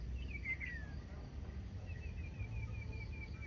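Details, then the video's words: Huýt cô decoy bird practising its song: a thin whistled phrase sliding down near the start, then a quick string of short, evenly spaced whistled notes, all over a steady low rumble. "Huýt cô mồi đi dợt lại lấy lửa"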